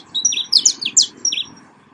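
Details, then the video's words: Saffron finch, canário-da-terra, delivers a fast tumble of high, slurred chirps and thin whistled notes packed into about one and a half seconds, with a faint hum in the background. "CANTO DO CANÁRIO DA TERRA"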